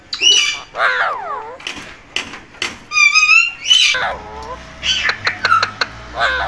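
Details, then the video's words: Talking parrot mixing raspy speech-like syllables with sliding whistled notes, some falling, one wavering; bursts come close together, with a faint low hum behind them. "Amazing Talking Parrot Voice"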